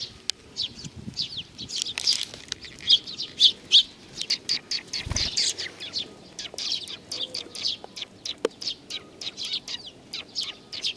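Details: Several sparrows coming for food at a Tenmangu shrine, Nakanoshima, 7 June 2020; quick high tweets repeat irregularly, roughly seventy a minute, with occasional wing flutters and a brief low thump.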